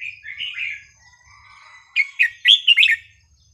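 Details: Sweetly phrased, varied song of a red-whiskered bulbul, used to teach young birds: soft slurred warbling at first, a quiet pause, then a loud burst of four or five rich whistled notes rising and falling.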